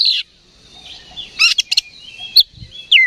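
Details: Oriental magpie-robin stirred by a decoy call: a loud slurred note, soft warbling, then harsh buzzy bursts and a final descending whistle.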